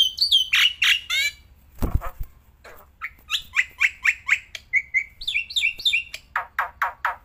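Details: Black-winged myna, a kept bird singing outdoors and in the hand: slurred whistles, a dull knock, then a steady run of harsh, buzzy chattering notes that ends in rough repeated calls.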